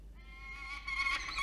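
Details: Peregrine falcon at a nest with three eggs under incubation, New South Wales, Australia, 27 September in the early morning. A drawn-out, harmonic, whining call rises in pitch and gains loudness toward the end, with faint low hum beneath.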